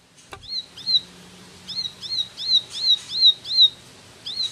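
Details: An ashy tailorbird (ciblek) gives a full-speed run of quick, sharp, high whistled notes, each a short rising-then-falling chirp, about three per second in bursts, over a faint low hum.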